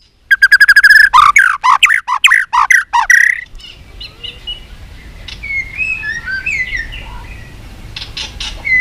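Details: White-rumped shama (chòe lửa, murai batu) in training for singing contests. The bird gives a fighting-style song with many voices. About three seconds of loud, rapid, harsh repeated notes come first, then softer, varied whistles and warbles.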